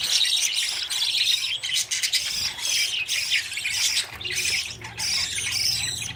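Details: Budgerigar chicks running after their parents for food, just out of the nest; a dense, continuous chorus of high, scratchy squawks and chirps with short breaks near two and five seconds.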